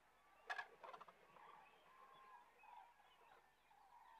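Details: Common cranes resting on migration south of Kastlösa in September 2013; distant trumpeting calls rise and fall in overlapping bugles from a flock, with a couple of short sharp bursts near the start over a steady rural hiss.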